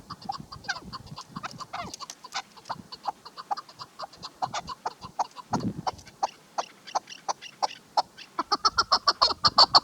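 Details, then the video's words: A chukar partridge, possibly a female, gives rapid, repeated clucking chuk notes, about one or two a second, building louder and quicker toward the end; low thumps are heard early on. "KEKLİK sesi shikari chakor sound chakor ki awaz"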